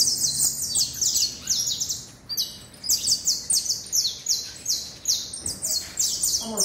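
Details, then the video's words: Saffron finch song: a clean, fast string of sharp, high-pitched chips and short downslurred notes, delivered in bursts with brief pauses. "Canario da terra"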